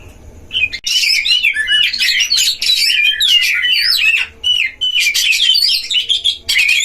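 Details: At a breeding cage, Oriental magpie-robins duel, the song meant to stir other magpie-robins; after a quiet start, an almost unbroken torrent of twisting whistles and buzzy, chattering notes fills the recording.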